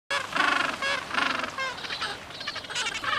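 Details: At Orne Harbor, gentoo penguins give loud, harsh, honking brays in overlapping bursts, several birds calling at once in a noisy colony chorus.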